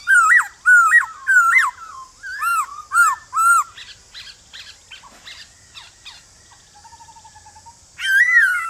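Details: Male black-throated laughingthrush singing a forest-style song in the morning to call and provoke wild birds. Loud, rich whistled phrases swoop up and down, several in quick succession, then softer chatter and a final bright phrase.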